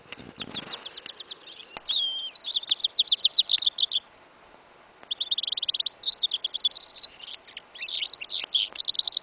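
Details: Hybrid of goldfinch and yellow isabella canary, singing in a winter field on 11 January 2015: fast repeated high chirps in bursts, a pause of about a second, then dense twittering phrases and trills, part of an incomplete song.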